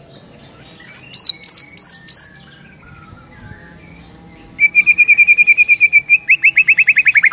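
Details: Morning song of a white-rumped shama: a short series of high ringing notes, a pause, then a fast trill of repeated clipped notes accelerating into rising sweeps.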